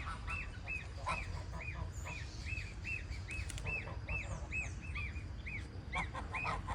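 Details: Young goose gives rapid, evenly spaced arched peeps, roughly two to three per second. Thin high chirps from other small birds and a steady low rumble run beneath.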